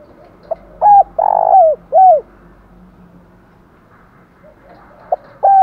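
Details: Spotted dove coos in a stimulated bout, one full phrase of a short note and three hollow coos with a long drawn middle note, then silence before the next phrase begins.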